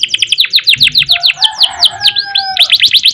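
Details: Canary singing in a gacor style described as long ngerek, ngerol and nembak: a fast series of sharp descending whistled notes, a brief buzzy passage with a low steady tone underneath, then rapid repeated chips again; faint low thumps.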